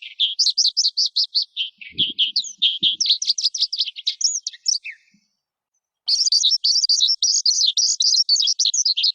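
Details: High, bright lark song in rapid chirping bursts. Two soft low thumps fall early on, then the bird goes quiet for about a second before resuming an even denser, trilling flurry of notes.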